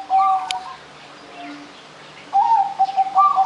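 A zebra dove gives two bursts of soft, rolling coos: quick, mellow notes close together, with a faint low hum behind.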